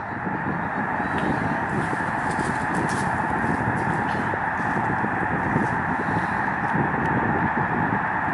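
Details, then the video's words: Huge migrating flock of Canadian snow geese on Lake Springfield, Springfield, Illinois, heard from the Lincoln Memorial Garden shore: a dense, unbroken roar of overlapping nasal honks and yelps at steady loudness, with no single call standing out. "Murmuration Of Canadian Snow Geese"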